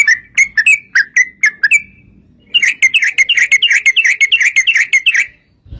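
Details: Yellow-vented bulbul fighting-style song used as bait for other bulbuls: a row of separate short whistled notes, a brief gap, then a fast continuous string of bubbly warbled notes.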